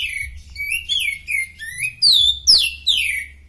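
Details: Oriental magpie-robin (kacer) in superfit form, singing for use as a master: fast series of loud downslurred whistles and sweeping notes, a few per second, strong and clear over faint low hum.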